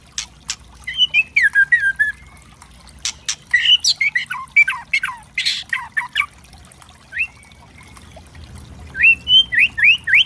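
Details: White-rumped shama, called murai batu trotol, in a tutor recording meant to provoke other birds; loud varied song with rich whistled phrases, rising and falling slurs and sharp harsh crackling notes, delivered in quick irregular bursts with pauses.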